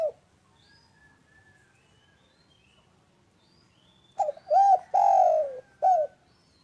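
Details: Spotted dove, a loud steady caller for coaxing quiet doves to sing, opens with a coo, then soft faint chirps, then a four-part phrase of stuttered note, arched coo, long falling coo and short final coo.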